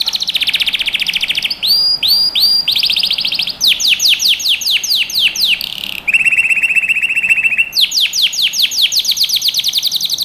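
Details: Canary song recorded to train young birds: fast tours of repeated rising-falling notes, a pure whistled trill near the middle, then dense chopped phrases and steep descending sweeps, bright and loud throughout.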